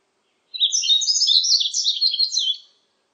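A Yellow-throated Bunting sings one quick, high, jumbled phrase of tinkling, buzzy notes lasting about two seconds, in clean quiet surroundings.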